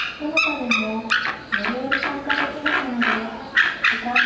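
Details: Captive white-tailed sea eagle at Ueno Zoological Gardens, giving a steady series of harsh, yelping cries, each with a rich harmonic tone that slides downward, repeated about every half second.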